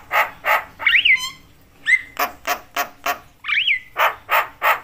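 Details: Javan myna, a talkative caller said to agitate other mynas; harsh rasping notes in steady series broken by two loud rising-falling whistles.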